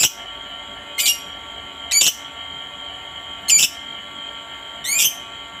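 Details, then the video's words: Lovebird whose call is meant to get other lovebirds singing: four short, sharp, high-pitched squeaks spaced roughly a second or more apart, some with a quick upward slur, over a quiet background. "suara Lovebird yang satu ini sangat jago memancing Lovebird lain agar rajin bunyi"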